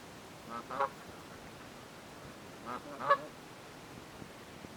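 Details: Canada geese in a forest territorial dispute; two short double honks about two seconds apart, each a soft note followed by a louder nasal one, over quiet background.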